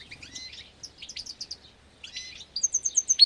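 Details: Captive-bred agate European greenfinches in an aviary during the 2024 breeding season, twittering: bursts of bright chirps and short level whistles, ending in a quick run of five or six high, sharp notes.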